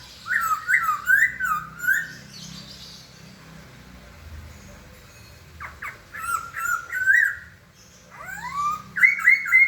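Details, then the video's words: Song of a white-crested laughingthrush: looping, wavering whistled phrases, a quiet gap, then more warbled whistles with short sharp notes and a final rising slurred whistle. "kicau burung poksay"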